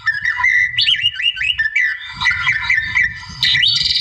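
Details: Wild white-rumped shama singing to provoke a rival: a series of repeated rising whistled notes, then jumbled chattering phrases ending in a bright high burst.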